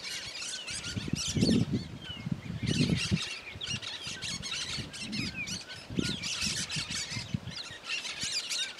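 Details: Free-living Cactus parakeet in the Caatinga of Bahia, Brazil, vocalizing in bursts of scratchy, screechy chatter separated by short pauses, over loud low-pitched thumps and wind-like rumble.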